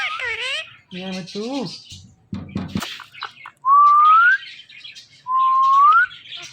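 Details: Indian ringneck parakeets, a male and female pet pair, mimicking speech in the morning: meow-like wavering harmonic notes and clicks, followed by two loud pure whistles, each rising steadily over about a second.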